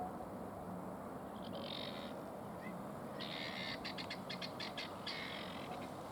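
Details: Helmeted guineafowl at Lakenheath, Suffolk, UK, on 30 Sep 2015 at 5:19 pm give harsh, grating calls in short bursts and rapid rattling pulses over a low rumble.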